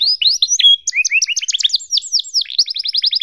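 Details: A canary on a long training recording made for teaching young canaries to sing gives a fast, continuous run of high chirps and trills, rapid rising sweeps giving way to quick repeated notes, with no other sounds.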